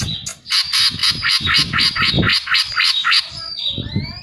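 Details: Greater green leafbird (cucak ijo) singing, a lure recording meant to prompt other birds to sing: rapid harsh chattering notes about four per second, then a short whistled slur, with low thumping knocks underneath.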